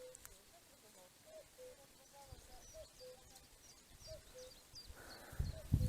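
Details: Distant common cuckoo on Mount Strymba in the Gorgany range of the Ukrainian Carpathians, 9 June, gives soft, low two-note calls, falling slightly, over wind; faint high chirps from small birds and handling noise at the end.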